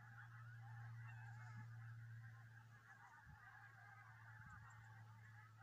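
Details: Dense chorus of goose honks from a large flock on the Solway Firth near Southerness, Dumfries, over a persistent low engine-like hum.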